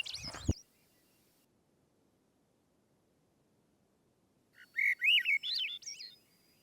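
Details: Swainson's thrush singing along a trail on Bonaventure Island, Quebec: a fluting phrase of rising, spiralling whistled notes climbing upward, preceded by a short loud burst of noise and then near silence.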